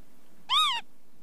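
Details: Northern lapwing calling once: a rich, arched, nasal note lasting about a third of a second, then quiet apart from a low hum.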